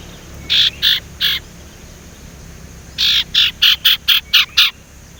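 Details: A young male Sumatran leafbird practising its whistling, still unpolished and used as a lure. Three rasping notes, a gap, then a faster run of seven buzzy chirps.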